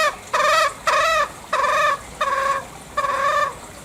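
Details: Green junglefowl, Bali, calling in five harsh, nasal bursts of roughly half a second each, some bending up and down in pitch, spaced evenly about every 0.6 seconds.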